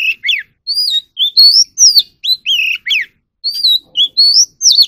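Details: Oriental magpie-robin singing during voice training: a steady stream of bright, varied whistles. Upward sweeps alternate with downward slurs, about three notes per second, with one brief pause midway.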